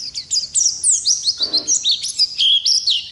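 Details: An Oriental white-eye sings bright, high whistled slurs and quick chirps in a dense, lively phrase, with a brief soft rustle partway through.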